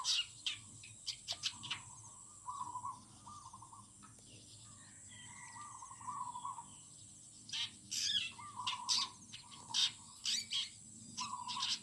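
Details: Birds singing in a garden in the morning: soft low warbled phrases drift in and out early on. Later, clusters of loud, high, sharp chirps burst in again and again, with a quiet rural background.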